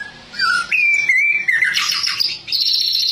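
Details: Murai batu, or white-rumped shama, singing vigorously (gacor): clear, sustained whistled notes stepping up and down in pitch, then a bright, buzzy high trill.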